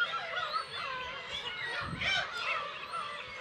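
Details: Black-tailed gull colony, Kabushima, Hachinohe, Aomori Prefecture, Japan, early summer 10 June 2020, chicks present, recorded on GoPro HERO8: busy chorus of short harsh mewing calls, with a brief low rumble near the middle.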